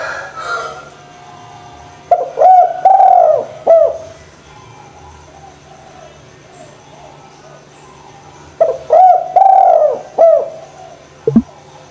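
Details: Spotted dove in full voice, meant to prompt lazy doves to call: two coo phrases roughly six seconds apart, each of short hooked notes around a longer mellow coo, with a soft knock at the end.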